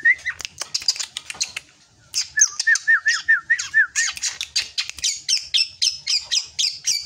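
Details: Growing young drongo mixing harsh squawky high notes with a string of looping whistles, then a steady series of rasping high calls repeated roughly twice a second.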